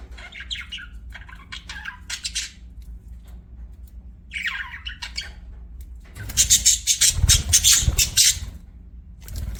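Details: Budgerigar uttering short bursts of buzzy chirps separated by pauses, then a loud stretch of rapid, harsh, noisy squawks during the last third.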